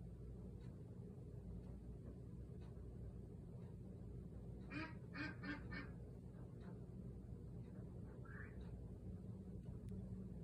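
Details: A 50-day-old Cayuga duck on a patio, calling for its owner who is inside, gives a short burst of four or five raspy, nasal quacks, then a softer call, over a steady low hum.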